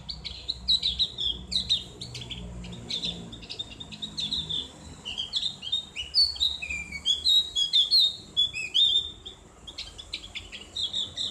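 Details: Long ngriwik song from a Javan grey-throated white-eye, open and ringing, for bird therapy: varied high whistled slurs and twitters in uneven bursts, with a fast chattering stretch near the middle.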